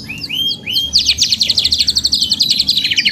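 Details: Canary with long gacor panjang therapy song: two slurred whistles, then a loud rapid trill of sharp repeated high notes, roughly a dozen per second, carrying through.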